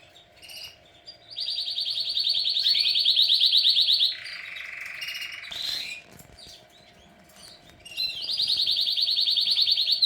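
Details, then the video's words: Canary singing: long, rapid rolling trills, high and buzzy, then a lower, steady buzzing note and a brief sharp phrase, followed by a pause before the fast high trill starts again. "canary singing"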